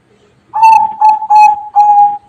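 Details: Zebra dove singing in the bedah karang song style: four clear cooing notes at steady pitch, the first drawn out and the rest rolling, ending in a short trailing tail.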